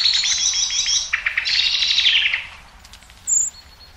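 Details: Common blackbird (Turdus merula), song.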